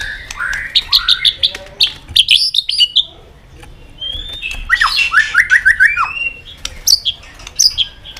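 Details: White-rumped shama in heated competitive song with tail flicking: high ringing whistles and quick repeated note series, a brief quiet gap, then a rapid run of paired downslurred notes and sharp clicks.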